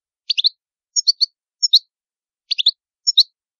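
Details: Italian goldfinch singing: short bursts of two or three quick, high, tinkling notes, the groups spaced about two-thirds of a second apart, against a silent background.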